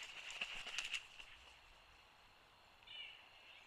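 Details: Eagles Freedom and Liberty vocalizing at their nest site in Hanover (Codorus), Pennsylvania, on 28 December 2022: a quick series of thin, high, squeaky chattering notes, then a brief, fainter burst about two seconds later, over soft outdoor hiss.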